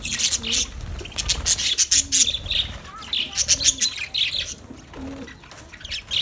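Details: Budgerigars in a colony, chattering bursts of high, rasping twitters alternating with short pauses, while soft low coo-like notes sound in the background.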